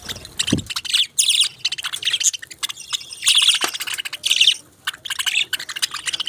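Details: Budgerigars giving busy, high chattering chirps in uneven bursts, with sharp clicks and a short low thump near the start.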